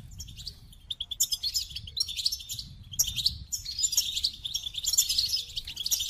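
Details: Goldfinch starting with a few spaced, clipped chirps, then breaking into a fast, rich run of high twittering and buzzy trills.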